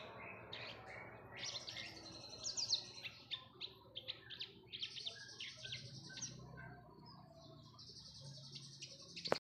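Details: Javan bush lark singing as a lure for other birds: scattered high chirps and trilled phrases, fairly soft, with a low rumble and a sharp click at the end.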